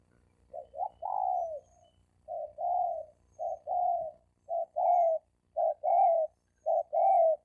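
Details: Wild male spotted doves challenging each other to fight: a run of soft coos, each a brief clipped note followed by a longer, slightly falling note, repeated about once a second against an otherwise quiet background.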